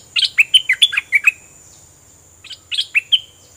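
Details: Fully feathered caged bulbul sings two doubled-style phrases of quick, sliding, bright whistled notes separated by a short silence.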